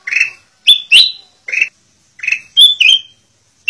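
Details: Black-crested bulbul song used for tutoring captive birds, with clear whistled notes in quick pairs and singles, a few upward-slurred, separated by short silences, and no other sounds.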